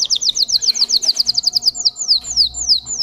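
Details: Russian canary singing a quick series of sharp downslurred whistles, tightly packed at first and then spacing out to about three per second.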